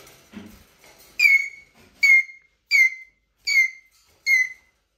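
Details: Eurasian jay giving plaintive squeaks: five bright, downward-curving whistled squeals evenly repeated about every 0.75 seconds after faint rustling.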